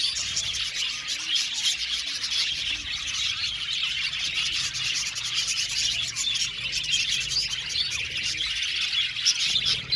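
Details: A large aviary colony of Australian budgerigars fills the air with ceaseless high warbling and chirping, many voices overlapping evenly, with a soft low hum in the background.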